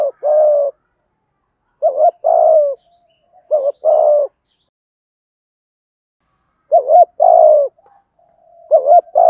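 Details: Male and female spotted doves cooing as a lure for wild birds: paired coos, a brief upturned note followed by a drawn-out falling one, repeated in bursts with long quiet gaps.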